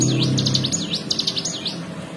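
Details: Short run of bar-winged prinia 'ngebren' song for songbird tutoring: quick high sweeping notes in a tight burst over low background rumble.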